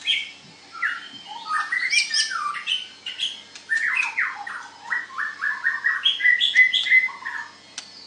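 A white-rumped shama pours out a rich, varied song of rapid whistles, chirps and slurred notes that jump between low and high pitches, with barely a pause between phrases.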